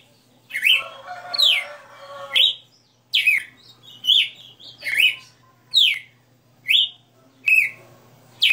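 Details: Captive red-cowled cardinal singing 60 notas: a harsh, broad note first, then clean whistled phrases of falling and rising slurs repeated nearly every second, about ten in total.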